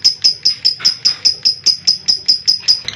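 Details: Lovebird giving the long ngekek trill, recorded unedited as master audio to prompt young and adult lovebirds to sing: bright, piercing chattering notes repeated evenly about two and a half times per second.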